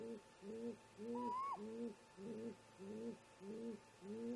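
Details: Early-morning exchange between great grey owl parents at a snag nest in July, around 04:25 MDT: rapid repeated low hoots, roughly one every half second, overlaid by a single rising, higher-pitched whistled call.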